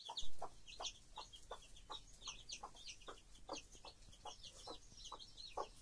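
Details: Hen with her chicks: short low clucks repeated about three times a second, steady throughout, mixed with thin high peeps from the chicks scattered over the top.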